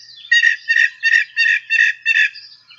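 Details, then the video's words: Northern Mockingbird singing, from a bird guide app: one harsh, buzzy phrase repeated six times at about three per second, then a thinner trailing note. "So here's a northern mockingbird singing."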